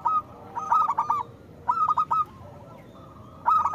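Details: Zebra dove of local stock singing with a big voice as a lure for doves slow to sing: stuttering cooed phrases repeat about every one and a half seconds, with a faint steady tone behind.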